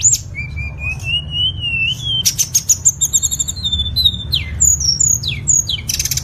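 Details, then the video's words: Tledekan singing, recorded as master song for teaching caged songbirds: a long rising whistle, then bursts of high clicky notes and quick down-slurred whistles, over a constant low background hum. "MASTERAN SUARA BURUNG TLEDEKAN PALING AMPUH"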